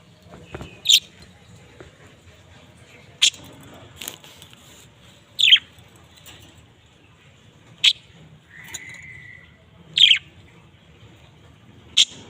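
Budgerigar giving sharp, high chirps at uneven intervals, with one short flat whistle.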